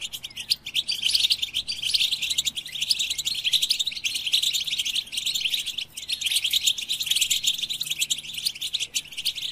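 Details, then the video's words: Steady, high-pitched twittering song of a European goldfinch, with quick tinkling notes and short buzzy trills running without pause for the whole stretch. "Goldfinch With the Best Melodies"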